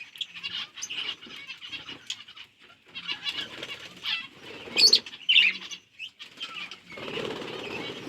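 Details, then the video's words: Budgies eating seeds on October 30, 2023: a steady, chattering warble broken by sharp squeaks, with low rustling and fluttering beneath the high chirps. "Budgies eating seeds | Budgies chirping sound"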